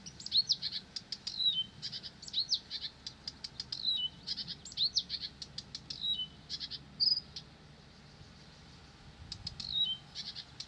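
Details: Incessant song from a Blyth's reed warbler: bursts of rattling clicks mixed with short descending whistles, repeated in quick phrases, then a pause near the end before it resumes.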